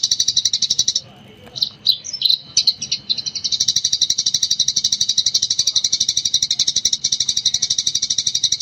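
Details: Gecor-style master recording of a Eurasian tree sparrow, made to train other birds: fast high chirping that breaks into scattered tweets, then resumes as a long unbroken rattle of bright, evenly spaced chirps over a faint steady whine.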